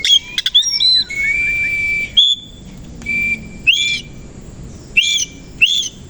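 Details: Oriental magpie-robin (kacer koci) singing in the morning, puffed up with tail open: a long, steady high whistle, then short, bright, ringing bursts of notes repeated every second or so.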